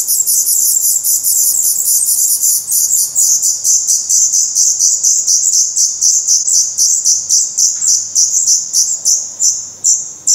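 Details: Nestling black redstarts at close range in Portugal on 16 May 2020; high, thin chirps repeated several times a second in an irregular, insistent stream that swells and fades slightly over about ten seconds.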